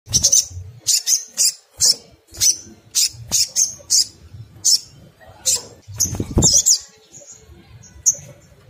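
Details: Crimson sunbird singing in ngriwik kemrecek style, used as a lure to set other crimson sunbirds singing: short, very high sharp notes repeated in irregular bursts about twice a second, with a brief chattering flourish near the end.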